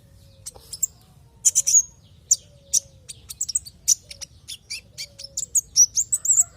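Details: Sunbird lure called kolibri ninja to get other birds singing: energetic series of sharp high chirps and thin trills, accelerating into dense twittering near the end, with a faint low whistle repeating underneath.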